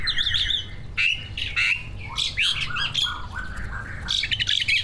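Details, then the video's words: Caged greater green leafbird, award-winning competition bird and one of two, in full mimicked song meant to get other birds singing: loud harsh squawks mixed with high wavering whistles and chattering bursts, steady low hum beneath. "Kicau burung cucak ijo gacor, prestasi, full masteran. buat pancingan dijamin ikut Gacor"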